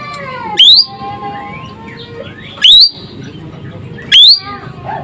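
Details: Asian glossy starling from Sumatra singing hard with a sharp voice: three loud, shrill whistles rising steeply, evenly spaced about every 1.7 seconds, with faint twittering and low murmur between.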